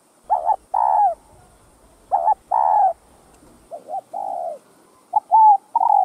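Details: Spotted dove (cu gáy) cooing: paired husky, buzzy coos with rough overtones, then a lower doubled note and long coo, ending with clearer whistled coos; quiet background.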